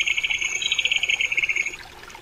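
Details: Crested kingfisher (Megaceryle lugubris) calling with a sustained dry rattle, rapid harsh pulses running for nearly two seconds at a steady high pitch before cutting off, followed by faint background hiss.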